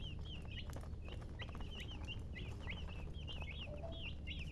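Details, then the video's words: Chickens give distinct high chirps that rise and fall, several per second, with a faint lower note near the end and a low rumbling background throughout. "silly chicken chirping sounds"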